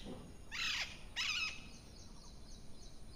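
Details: Parrot calling in the morning: two harsh, raspy squawks with layered harmonics, each about a third of a second, given about half a second apart, over a faint steady background hiss.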